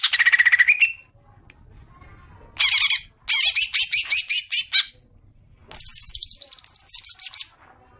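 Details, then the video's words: Cucak ijo (green leafbird) ngekek as a lure for long chattering: a buzzy rattle, then broken bursts of rapid harsh pulses, and finally a high rattling series that drops in pitch. "Pancingan suara cuca ijo agar cepat ngekek panjang"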